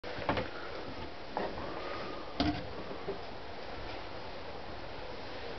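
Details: Three sharp knocks or thuds near the start, then a softer tap, over a low steady indoor hiss; no animal calls are heard.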